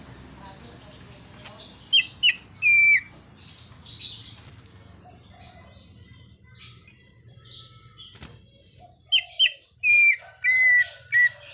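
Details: Greater green leafbird giving a song rich in imitations, including a car horn, amid chirping from other birds: short sharp whistled notes and a held whistle near the start, then after a quiet stretch a run of drawn-out whistles.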